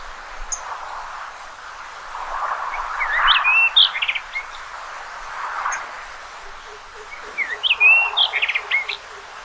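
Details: Common rock thrush song: two short bursts of high, varied warbling notes with quick rising and falling whistles, separated by a pause, over a steady low background hiss.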